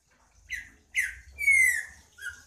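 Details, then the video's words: Singing green-winged saltator giving two short emphatic downslurred notes, then a long sweet whistle gliding slowly down, and a final brief softer note. "Trinca ferro cantando"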